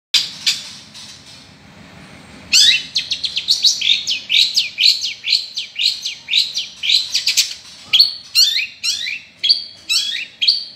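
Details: Long-tailed shrike singing actively: a faint opening, then from about two and a half seconds a fast, unbroken run of sharp, high chattering notes and short rising whistles, each a fraction of a second long.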